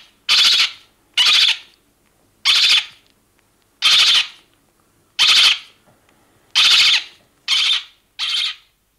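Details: A 2–3 day old lesser black-backed gull chick on Walney Island gives eight high, harsh, squeaky alarm notes, about one a second, each a short buzzy burst; no other sounds stand out.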